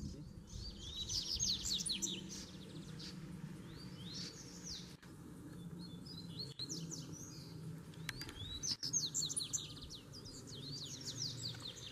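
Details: Double-collared seedeater song during a standoff between a caged bird and a free wild one: three bursts of quick, sharply slurred whistled notes, each about two seconds, separated by pauses, with clicks and steady low hum.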